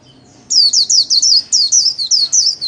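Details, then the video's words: Caged white-eye in daily líu training sings solo, a quick run of sharp, high, swooping whistles, roughly four each second, after a brief quiet start. "KHUYÊN LÍU SOLO RẤT HAY - LUYỆN KHUYÊN LÍU MỖI NGÀY"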